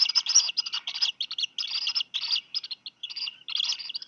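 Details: Two Black guillemot chicks, hatched late June, begging for fish from their parents at Seal Island National Wildlife Refuge, Maine; dense, rapid, high-pitched peeping bursts in quick succession with brief gaps.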